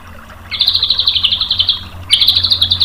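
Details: White-rumped shama tutor song meant to draw a reply: after brief quiet, a steady high rapid trill lasting over a second, a short break, then the trill again.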